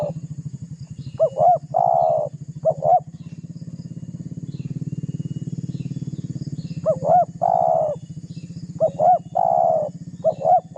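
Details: Spotted dove call that pressures and provokes rival birds, used as a lure: paired short coos ending in a long burry note, in bursts separated by a pause, with a rhythmic low engine throb throughout.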